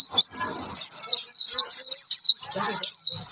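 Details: Oriental white-eye lure song, pleci pancingan, for prompting birds to sing: a continuous zigzag of high shrill chirps and slurred whistles, briefly broken near the end, over faint human voices.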